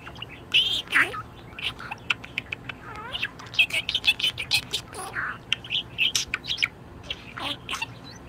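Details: Pet budgerigar in a very good mood, chattering with rapid bright chirps, trills and short warbled notes in a busy, uneven stream, some sweeping up or down.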